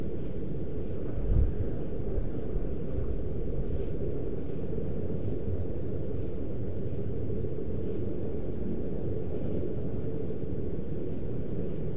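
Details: Steady low rumble like engine or wind noise fills the recording, with no animal sound heard.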